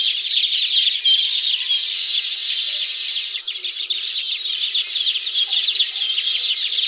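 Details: Baya weaver chatter at a tropical nesting site: a continuous high, grating wash of quick chirps and wheezes, dipping briefly midway before resuming just as dense, with faint low notes in the background.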